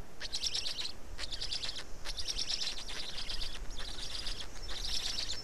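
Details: Black storks at an Estonian nest during feeding, afternoon of 19 May 2019; rapid wheezy, grating bursts repeat in quick clusters almost without pause, with brief gaps about every second.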